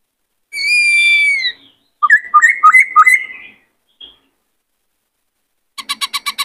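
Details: Song in many voices from a white-cheeked laughingthrush, used to coach young birds and excite males to sing and dance. A long, gently falling whistle, then looping rising phrases, and finally a fast burst of six harsh notes.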